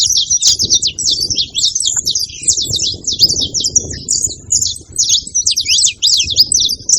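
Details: Wild saffron finch song in the open: quick, piercing chirps and downslurred notes tumble in rapid succession across the whole stretch, backed by faint low-pitched rustling noise.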